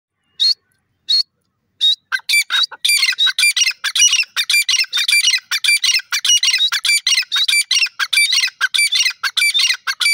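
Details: Grey francolin, locally called teetar, calling; a few separated sharp notes, then a rapid, loud series of harsh, squawking notes repeated about every tenth of a second for several seconds.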